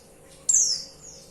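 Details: Single high, thin, steeply falling whistle of a female white-eye calling the male, followed by a fainter high echo-like note.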